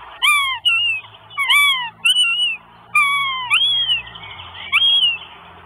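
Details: Northern goshawk chicks at a nest in Estonia, on a live nest camera on 24 May 2022, beg their mother for food: about six loud, whining, drawn-out, slightly falling wails roughly every second, over a faint low hum.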